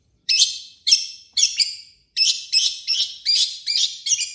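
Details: Long-tailed shrike singing in harsh, loud style, used as a lure to make other shrikes sing: nine rasping, scratchy notes in quick succession, some doubled, separated by short pauses.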